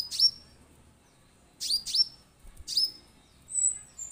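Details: Orange-headed thrush lure to set birds singing: piercing, high, downslurred notes given singly and in a quick pair, followed by a thinner, higher whistled note near the end, over very little background noise.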